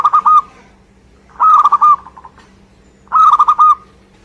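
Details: Local Indonesian zebra dove (perkutut) singing vigorously: three tight bursts of quick, bubbling coos about one and a half seconds apart, each made of four or five short pulsed notes, over a faint low hum.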